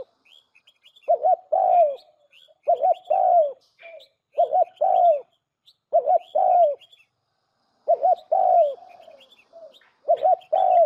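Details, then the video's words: Decoy call of a spotted dove for luring birds into traps, with six cooing phrases at steady intervals, each a short double note then a longer downward coo; light high-pitched chirping throughout. "Tiếng chim cu gáy mồi chuẩn"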